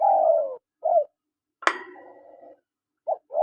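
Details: Spotted doves, male and female, calling: a drawn-out, slightly falling low coo, then short soft coos, a sharp click with a brief rough rumble midway, and more short coos at the end.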